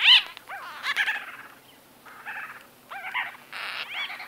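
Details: White-fronted bee-eaters calling close by in conversation: loud, sharply rising and falling squeaky notes and buzzy chatters in uneven bursts, separated by short quieter gaps.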